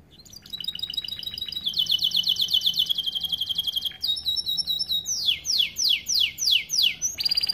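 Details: Song of a starblue-coloured canary intended to teach young canaries; soft opening twitters build into fast metallic trills, then a sequence of slower, loud upward-sweeping whistles about two per second.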